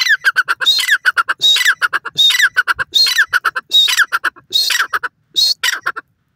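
A grey francolin calls in loud, harsh, ringing phrases, each with a shrill rising whistle, repeated roughly every second over clipped chattering notes.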